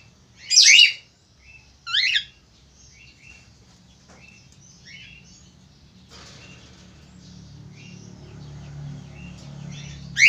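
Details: A male Australian finch calls loudly, giving sharp, high, rising chirps spaced about a second apart, with softer twitters between, over a low indoor hum.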